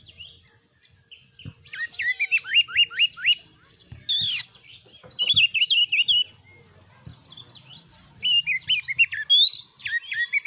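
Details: Caged oriental magpie-robin used as a song tutor, delivering bursts of sharp downslurred whistles in series, buzzy chatters and high squeaky notes, separated by short pauses, with occasional low knocks in the background.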